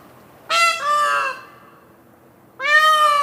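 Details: Two loud, ringing cries from an adult male peafowl, the first breaking into a second, lower-pitched section, the second a single strong wail two seconds later. The call is powerful, high and far-carrying.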